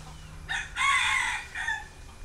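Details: Red junglefowl raised in captivity, with young hens playing in the soil; one short crow, a brief opening note then a strong rasping middle section and a fading tail, all within about a second, over a faint low hum.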